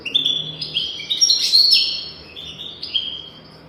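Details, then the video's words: European goldfinch song from a tutor tape for goldfinches: a fast, continuous run of tinkling twitters rising to a buzzy peak, then softer slurred whistles. "تغريد رهيب طائر الحسون حفاضة لتعليم طيور الحسون بدون أخطاء"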